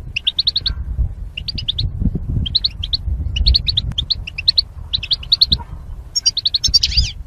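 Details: Goldfinches in cages, mating pairs separated by wire, singing: regular short runs of bright high chirps about every second, ending in a dense buzzy twitter, over low background rumble.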